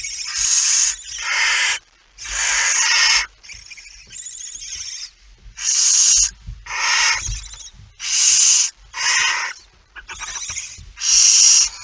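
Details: Barn owl with a mouse, recorded 17 September 2019 at 01:49, giving about ten harsh, rasping hiss bursts of roughly one second each, irregularly spaced over twelve seconds, with faint low thumps between them.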